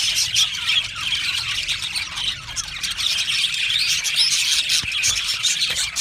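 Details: Budgerigar colony of Australian birds chattering together, thick high warbling with quick chirps and a few squeaky notes over a continuous babble.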